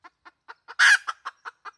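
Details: Red junglefowl hen calling, a 2020 decoy recording for luring wild junglefowl: evenly spaced soft clucks about four per second, broken midway by one loud, harsh, broadband squawk, then more clucks.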